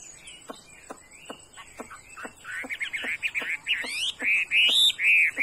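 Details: Chinese hwamei with a fine voice begins with spaced sharp clicks, then builds into a loud rolling run of whistled, looping phrases.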